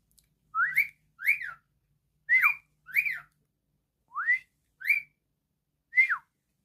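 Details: Whistling pet cockatiel producing separate swooping notes that rise and then fall sharply, spaced roughly a second apart, with a faint low hum in a small room.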